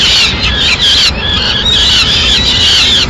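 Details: At a peregrine falcon nest in Madrid, 6 May 2016, the female brings a pigeon; a short run of rapid, harsh, wavering squeals with almost no pause between them.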